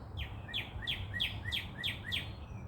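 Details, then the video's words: Chirping bird at sunrise in Dallas, Texas: six bright, sharply falling chirps about three per second, each ending in a lower slur, above a steady low rumble. "Sunrise & Chirping birds"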